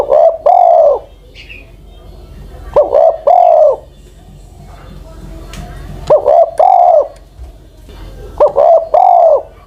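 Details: Spotted dove, an old ground decoy bird over ten years of age, cooing four phrases about every two to three seconds; each is a short clipped note, then two mellow drawn coos, in a quiet setting.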